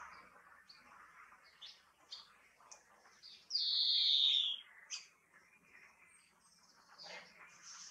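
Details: European greenfinch song: soft scattered twittering notes, then one loud drawn-out buzzy wheeze lasting about a second and sliding down in pitch, followed by a few more short chirps.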